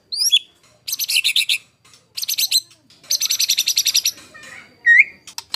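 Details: White-rumped shama song used as master material for competition birds, 'tembakan kasar' style: short high looping whistle, three bursts of dense harsh buzzy rattles, then a clear upswept whistle and quick clicks.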